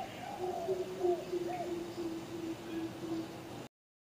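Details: Greater Coucal in Chiang Mai city, Thailand, giving a deep, hollow run of booming hoots, run together into a steady low drone, with faint chirps of other birds behind.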